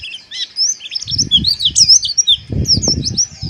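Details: Close, loud white-eye chatter used to raise breeding arousal: bright high twittering phrases with quick slurred squeaks, accompanied by low rustling and tapping sounds.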